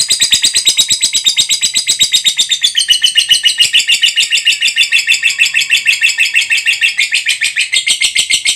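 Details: Lovebird in a sustained long ngekek trill: a loud, rapid, buzzy chatter of high notes pulsing steadily without a break for almost nine seconds, with a slight drop in pitch midway.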